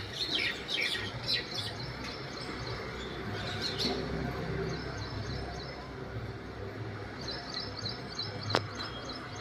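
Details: Mynas scuffling on a roadside, with rapid ticking notes in short bursts and scattered sharp chirps over a low background hum and distant traffic.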